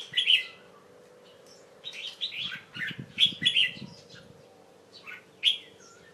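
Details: Young Red-whiskered Bulbul, caged, late afternoon of 1 January 2012, resting under a cover after a bath; sharp whistled chirps in several short groups separated by pauses, faint hum below.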